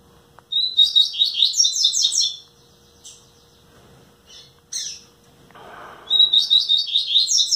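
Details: Captive double-collared seedeater, a nine-month-old bird from a breeder, sings two fast warbled bursts of chirping notes, each lasting about a second and a half, separated by a pause with soft rustling and a few faint notes.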